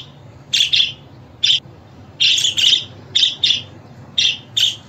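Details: Budgerigar calling sounds for getting a pet budgie to sing and respond: bright, high chirps, mostly in pairs, spaced with short pauses of about half a second to a second.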